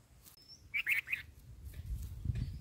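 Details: Bulbul chicks in the nest as a parent feeds them: three short, high chirps in quick succession near the start, then soft low rustling and faint shuffling noises.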